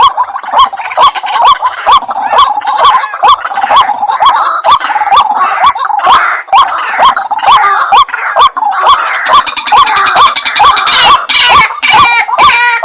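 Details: White-breasted waterhen (Amaurornis phoenicurus) call played as a lure: loud, harsh croaking notes about twice a second, growing more frantic and overlapping near the end, with sharp clicks throughout.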